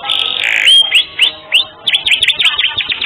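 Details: Canary singing for a master training track: a buzzy descending phrase ending in a sharp whistle, followed by spaced rising chirps that quicken into a rapid series.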